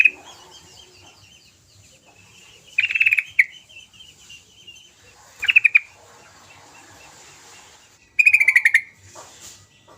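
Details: Sooty-headed bulbul lure song to stimulate silent birds: three short bright trilled bursts about two and a half seconds apart, with faint repeated chirps and a steady hiss behind them.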